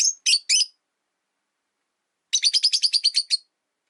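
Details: Rosy-faced lovebirds sharing one cage by a window give three sharp chirps, then after a pause a fast regular series of about ten shrill chirps.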